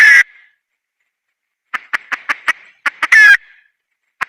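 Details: Red junglefowl hen: a harsh squawk, a pause, then a string of staccato clucks building to another loud, grating squawk, ending with a single cluck.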